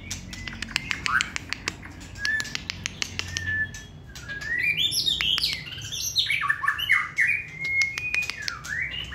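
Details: Caged white-rumped shama kept for song contests: sparse clicks and a few soft whistles, then a loud tumbling run of slurred chirps and whistles.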